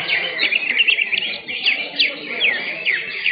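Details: Greater green leafbird song during an Indonesian singing contest held 10 September 2023: loud, clear downslurred whistles and sharp chips delivered in quick bursts over a busy chatter of other singers, with crowd noise faintly below.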